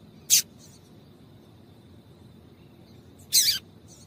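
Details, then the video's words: Calls of a female double-collared seedeater, used to stimulate males to sing: one brief bright chirp, then after three seconds a longer buzzy high note with a downward slur, against faint steady hiss. "Piado de Fêmea de Coleiro para Esquentar Coleiro"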